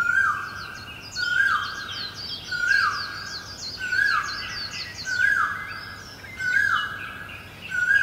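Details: Great barbet recorded in Guangzhou, China, in April 2022: loud, mellow, level notes that drop at the end, repeated about every 1.3 seconds, with thin high twittering chirps from other birds running above throughout.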